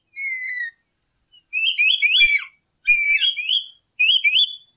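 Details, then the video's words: Lory song as a trapping lure: a drawn-out descending whistle, then three dense bursts of rising, squeaky whistles. "Suara Burung Nuri Full 1 Jam Masteran untuk Pancingan"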